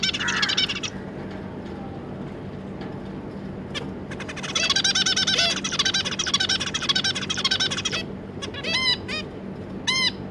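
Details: Zebra finches, two adults with their three juveniles, calling and singing: a dense run of rapid buzzy, rasping notes with several loud nasal honking calls near the end, over a steady low hum.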